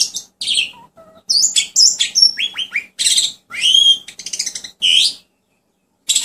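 Asian pied starling song: a rapid jumble of chattering, whistled and squeaky phrases, some sliding down, others buzzy or harsh, with brief pauses between bursts.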